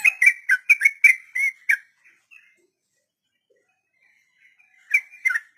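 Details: Sooty-headed bulbul song in the long rapid 'ropel panjang' style, used as a model for training untamed captive birds: a burst of bubbly, slurred notes, then near silence, then a fresh burst of quick chirps.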